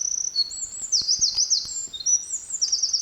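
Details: Singing Eurasian wren on Kurokawa-Keikanzan mountain in July 2023, pouring out piercing high trills and brisk whistled notes in continuous rapid succession, with a few faint clicks beneath.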